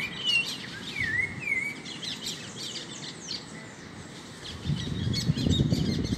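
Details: Great kiskadee in a backyard among other free-living birds, feeding on insects; slurred dipping and rising whistled notes repeat in a short series, with chirps of other birds and a low rumble building near the end.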